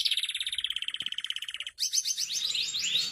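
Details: Canary masteran song: a steady rapid trill of evenly spaced notes for nearly two seconds, then an abrupt switch to scratchy, high, quickly descending notes.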